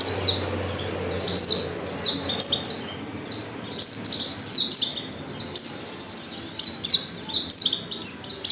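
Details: A female Oriental white-eye gives a lure call that prompts males to sing: fast, bright, descending chirps in a near-continuous chattering stream.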